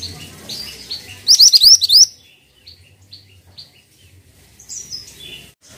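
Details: Pied triller delivering a short, fast series of about six rising whistled notes, surrounded by softer high chirps and short bursts from other small birds.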